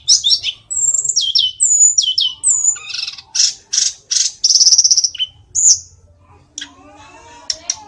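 A Sunda Robin sings a fast, high-pitched medley of sharp downslurred whistles, buzzy trills and chattering bursts, with a few softer lower warbles near the end.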